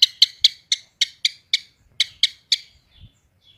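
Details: Long-tailed shrike, 'roll tembak' style song: about ten sharp, clipped high notes in a series that gradually slows and fades into quiet soft calls.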